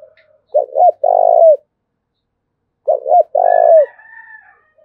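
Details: Spotted dove from Dong Nai, Vietnam, in thúc bổi style: two phrases of two short hoots and a long falling coo, followed by a faint thin higher whistle.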